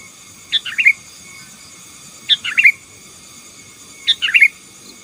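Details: Sooty-headed bulbul in full song meant to dominate rival birds; three cheerful gurgling phrases of four or five quick notes, spaced about every 1.8 seconds, faint steady hum behind.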